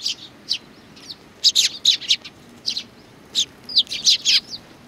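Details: Sparrows at a Tenmangu shrine on 4 July 2019 produce loud, bright chirps, some clustered in quick doubles and triples, separated by short silences.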